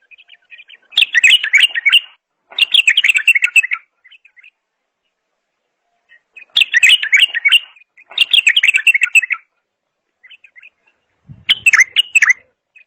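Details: A bulbul delivering loud chattering phrases about a second long, roughly every two to three seconds, separated by soft scattered chirps.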